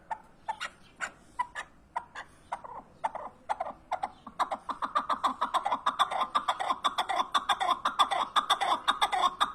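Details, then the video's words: Partridge chuckling call starting as spaced clucks, then speeding into a dense, rapid rattling series of sharp notes, about two per second, growing louder. "Keklik sesi huzurludur )the sound of partridge is peace )звук куропатки мир ) صوت الحجل سلام"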